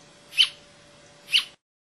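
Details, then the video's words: A singing Brasilia tapaculo in Serra da Canastra, Minas Gerais, Brazil, recorded 28 June 2004, gives two sharp, high notes about a second apart, each a brief bright chip, over faint hiss and a low steady hum. "Brasilia Tapaculo"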